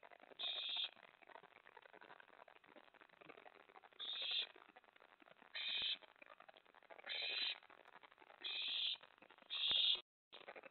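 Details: Owl nest on the night of May 24, 2017, during prey deliveries of a mouse and a rat to the owlet. Six raspy, hissing screeches at uneven intervals, rising in loudness toward the end, over steady rustling.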